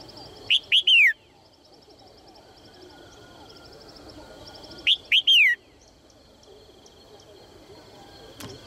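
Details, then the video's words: Female Red-whiskered bulbul calling to coax males into singing. Two phrases about four seconds apart, each two brief upslurred notes and a falling whistle. Faint rhythmic chirping runs in the background. "นกหัวจุก birds - เสียงนกตัวเมียส่งเสียงเจื้อยแจ้วจูงใจนกตัวผู้ให้ร้องเพลงอย่างมีความสุข"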